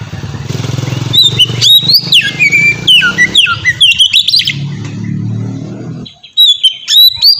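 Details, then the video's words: White-rumped shama delivering 'ngeplong' song to coax other shamas into singing; fast sequence of whistled, swooping notes and chatters, a low hum underneath, brief pause, then singing resumes. "suara burung kacer ngeplong merdu sangat ampuh buat pancingan kacer bahan bikin cepat gacor"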